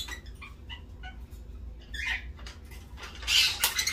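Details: African grey parrots fighting over a plastic bag: a string of short harsh squawks and chirps, several in the first second, then louder rough screeches near the end, with crinkling plastic and low rumble beneath.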